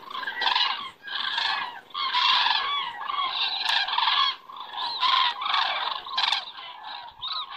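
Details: Estonia, evening of 20 September 2017: common cranes fly past and circle, giving loud, honking, trumpet-like calls in dense overlapping bursts, nearly continuous throughout.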